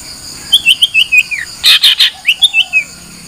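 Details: Long-tailed shrike singing a brief varied phrase: a string of high twittering slurred notes, a burst of harsh rasps, then more twittered notes and a low falling whistle.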